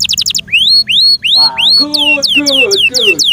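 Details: Kept canary in full song, loud and varied: fast high trill, then rising whistled slurs repeated about three a second, followed by lower, richer harmonic phrases under descending high sweeps.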